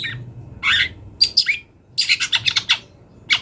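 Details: Long-tailed shrike from the wild in varied song: harsh scratchy notes, a squeaky whistle, then a quick chattering series of rasping notes.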